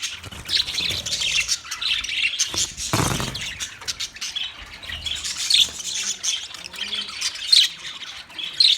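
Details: Budgerigars recorded on 9 March 2024, a flock giving dense, overlapping high chatter of squeaky chirps and warbles, continuous throughout, with a brief loud low rustle near the third second.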